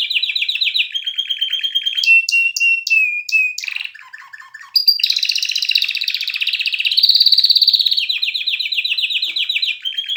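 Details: Canary performing a varied song: rolling trills, a few separate piping notes and a short low buzzy passage, then a long intense rapid trill wavering in pitch.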